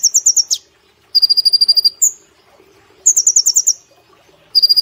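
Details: Cage-trained brown-throated sunbird pouring out rapid strings of thin, high, metallic notes, shifting between higher and lower trills, with a short drop at one phrase's end and a lone whistled note between bursts.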